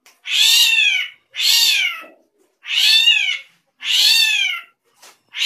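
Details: Drongo called srigunting krantil giving strange vocalisations: a series of four evenly spaced, cat-like mewing cries, each under a second and sliding downward, followed by a brief click and the start of a fifth cry.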